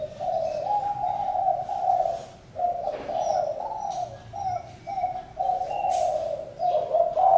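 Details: Spotted dove calling: hollow coo notes in groups, with a clear pause around two and a half seconds, then shorter broken coos. Faint whistles of other birds sound in the background.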